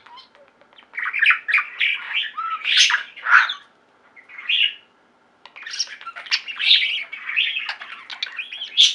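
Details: An indoor flock of pet budgerigars sings in two bursts of chirps, squawks and warbled notes, separated by a quiet pause of about two seconds.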